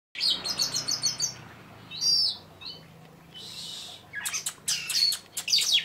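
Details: Oriental magpie-robin singing lively with sharp 'shot' notes: a quick run of high, clipped chirps, a pause, a short burst, then scattered whistled and buzzy notes after a quiet stretch, over a faint low hum.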